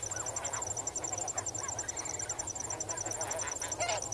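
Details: Swimming and wading snow geese trade repeated nasal honks, roughly two per second, with rising and falling inflections, while crickets keep up an even pulsing chorus.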